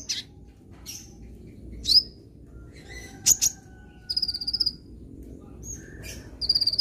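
A sunbird sings high, thin, sharp chirps and quick buzzy trills in short bursts every second or so, over a faint low hum.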